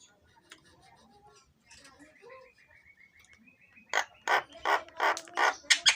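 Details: Javan myna song used as a lure to draw other birds into singing: faint mixed chatter, then loud harsh rasping bursts repeated about every third of a second, with a thin rising whistle running underneath.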